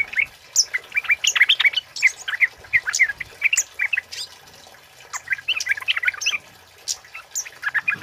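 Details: Male flowerpecker's loud 'cit keres' song, made for luring and tutoring; quick high twittering chips and squeaky upslurs in uneven runs, with a short quieter pause midway.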